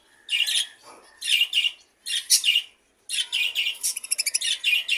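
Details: Half-tame pet budgerigar giving harsh, buzzy chirps in separate bursts about once a second, ending in a quick rattling run of short repeated notes.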